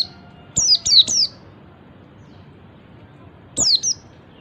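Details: Ngalas call of an Oriental white-eye, meant to set other white-eyes calling too: a quick run of three high falling whistles, then a long pause and a further pair of thin descending notes.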